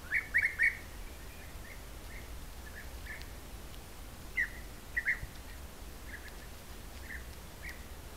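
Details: Camera-trapped European bee-eaters at an apiary in Corte Franca, part of a colony of roughly 20–30 that sometimes visits the hives after rain: short trilled, liquid calls in loud clusters near the start and middle, fainter scattered notes between.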